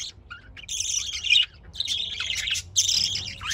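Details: Budgerigars giving three long runs of raspy, twittering chatter, buzzy and high, with a brief lower squeak near the start.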